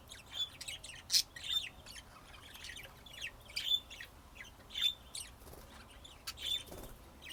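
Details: Budgerigars in Texas, USA, calling with repeated short, sharp high chirps spaced roughly a second apart, interspersed with softer chatter.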